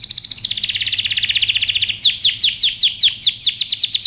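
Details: Singing canary, a powerful training song: a quick, rolling high trill gives way midway to a slower series of loud, sweeping chip notes, about two or three a second.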